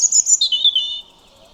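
A European robin's brief song phrase: a quick run of thin, very high notes that step down in pitch and then fade, over a quiet background.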